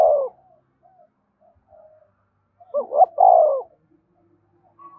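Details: Spotted dove 'gáy thúc' coo for captive birds to answer all day: a cut-off coo at the start, faint notes, then one clear phrase of two quick notes and a longer mellow coo, with soft trailing sounds.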